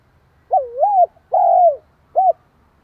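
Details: Spotted dove giving its provoking coo to stir up another dove. The phrase runs as a wavering, dipping coo, a long, level coo that sinks slightly, then a short final note, all mellow and mid-pitched.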